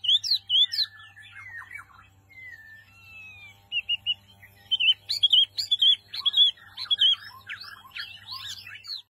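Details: Small white-eye in full song: scratchy high chirps and whistles, a brief drawn-out thin whistle, then dense rapid twittering phrases climbing and dropping, delivered about twice a second.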